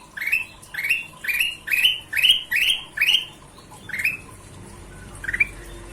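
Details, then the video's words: Golden-vented bulbul singing a fast regular series of rising whistled notes, about two per second, fading into fewer, quieter notes at the end. "Suara Kutilang Emas Gacor"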